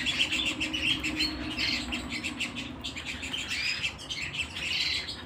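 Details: Canary at home giving a lively, rapid warble: clustered chirps and short whistled upslurs tumbling over each other in quick succession, fairly even in loudness throughout.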